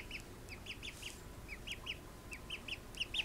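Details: Call ducklings just woken from a nap peep in high, shrill, downslurred notes, several each second, with birds overlapping over a low background rumble.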